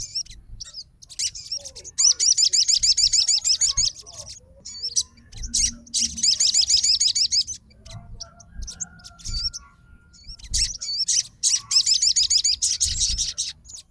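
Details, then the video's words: Fighter crimson sunbird answering straight away on hearing another sunbird's song: high, rapid trills of repeated hooked notes in bursts of about two seconds, separated by short twittering phrases, with faint low background rumble. "SOGON FIGHTER LANGSUNG RESPON DENGAR SUARA SOGON GACOR"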